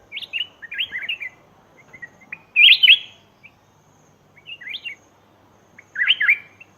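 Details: Lure recording of a black-crested bulbul for attracting wild birds. Brief liquid, chirpy phrases come in scattered bursts, one louder warble standing out, over faint background noise.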